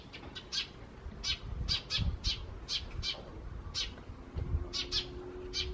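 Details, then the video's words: Eurasian tree sparrows calling in the wild in May 2017, with a little starling among them. Sharp, high chirps are given singly and in pairs at uneven intervals, with a faint steady hum and low rumble behind. "この鳴き声は何の鳥？の答えは、「スズメ！ と、少しだけムクドリ」です。"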